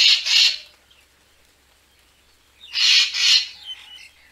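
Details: Racket-tailed treepie used as a photography lure: a coarse, scratchy double rasp, a pause of about two seconds, then another paired rasp trailing into softer chatter.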